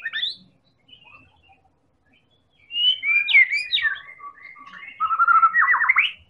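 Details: White-rumped shama, Medan type, used to trigger singing in other birds: a rapid varied medley of whistles and chirps, ending in a fast repeated series of rising notes.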